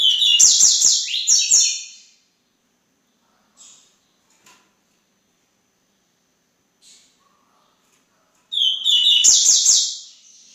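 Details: Double-collared seedeater delivering rapid, high-pitched twittering song phrases at the start and end, each about two seconds of dense buzzy chatter, with quiet isolated chip notes in the long pause between and no other sounds.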